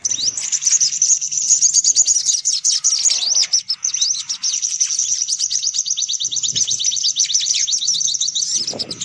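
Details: Sunbirds twitter busily in high, thin chirps and quick trills, an almost unbroken excited chatter with a few soft low rustles beneath; this is a lure recording of brown-throated sunbirds (sogok ontong) meant to attract sunbirds.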